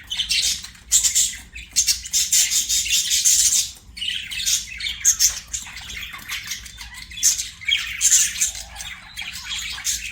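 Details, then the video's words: Budgerigars singing while playing, giving a long, varied warble of scratchy chatter, squawks and clicking notes that rises and falls in loudness with brief gaps. "BUDGIES SINGING PLAYING"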